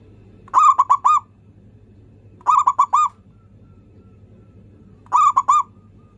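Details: Local zebra dove singing steadily, a lure for birds that seldom sing: crisp phrases of four or five rapid, rolling coos, repeated about every two and a half seconds over a quiet background.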